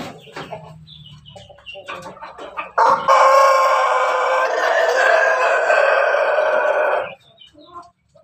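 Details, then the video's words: Pelung × Bangkok cross rooster, a farm-bred bird from Yogyakarta, gives a long, loud, sustained crow lasting about four seconds, held steady before cutting off abruptly, after softer chicken clucks and chatter. "persilangan ayam pelung bangkok ketawa berkokok"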